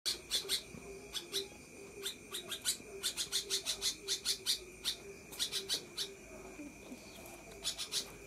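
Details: A sooty-headed bulbul gives a long "ngekek" call: quick bursts of dry, sharp chattering notes, several per second, over a steady thin high whine and a low hum.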